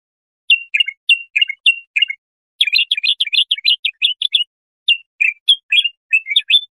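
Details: A bulbul sings bright, chattering phrases of quick slurred notes in three bursts with short pauses, no other sounds; song used for tutoring young goldfinches or hybrids.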